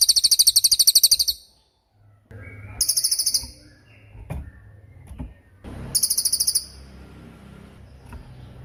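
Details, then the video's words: Crested jay (cililin) as a training recording for songbirds. Three bursts of sharp, high, rattling trills, the first longest, separated by low rumbling background noise and faint clicks. "MASTERAN CILILIN || TAJAM DURASI PANJANG"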